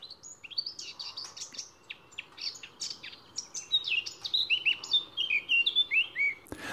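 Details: Male Eurasian Blackcap singing hidden in greenery, the strophe developing along the way: it opens with scratchy, angular chattering notes, then settles into clearer, rounder whistled final tones, ending in a sharp click.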